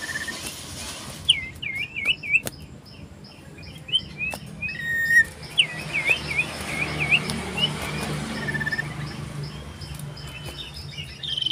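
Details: Common iora singing loudly and persistently while seeking a rival, recorded 27 December 2022; short whistled, wavering trills and slurred notes in two bursts, set against a steady low hum and scattered clicks.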